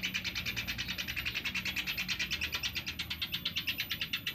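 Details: Sunda pygmy woodpecker calls used for luring, an unbroken rapid trill of harsh, rasping notes repeated at a steady fast pace for over four seconds against a quiet low hum.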